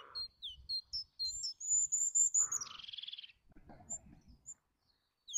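Eurasian jay giving a varied run of high thin whistles and short chirps, a sustained whistle ending in a brief buzzy rattle, then scattered soft notes.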